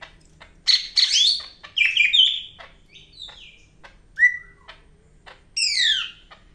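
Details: Medan greater green leafbird, or cak ijo, singing hard: dense chattering whistles, clicking notes and slurred phrases, including a falling whistle near the end, with a soft background hum.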